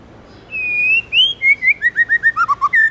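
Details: Tame white-rumped shama in "forest voice" song: a long, slowly rising whistle and an upswept note, then a fast, evenly paced cascade of about a dozen clear slurred notes stepping down in pitch.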